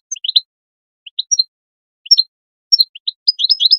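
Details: Goldfinch calls for motivating goldfinches to sing: a few high, sharp double chirps separated by short gaps, finishing with a quick tinkling twitter; otherwise quiet.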